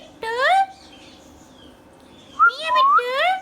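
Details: A pet Indian ringneck parrot speaking two short bursts of word-like, nasal syllables with rising inflection, separated by a quiet pause with faint high whistling.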